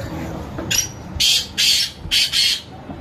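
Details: Black francolin giving loud, rasping, broadband call notes in quick sequence, three main harsh bursts of roughly a third of a second each, over constant background noise.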